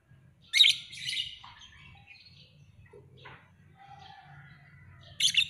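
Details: Lovebird calling with a pair of loud, shrill, scratchy chirps at the start, soft twittering and a faint low hum through the middle, and one more sharp chirp at the end.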